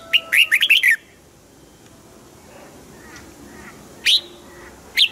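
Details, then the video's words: Caged Red-whiskered bulbul singing a quick burst of five or six bubbly, warbled notes, then two single sharp chirps after a pause, over a faint background hiss; the song is played to rouse competition birds. "นกปรอดหัวจุก | เสียงนกกรงหัวจุก ขวัญใจสายเบิ้ลอาชีพ ฟังแล้วคึกเหมือนเดิม"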